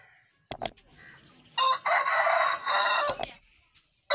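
An Aseel rooster gives a loud, harsh, sustained crow lasting about a second and a half, framed by sharp clicks and knocks before and after.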